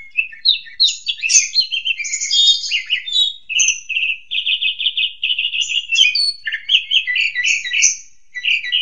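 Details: Master song of an Asian pied starling for tutoring juvenile birds, a busy chattering medley of short varied notes with squeaky whistles and a buzzy sustained stretch in the middle.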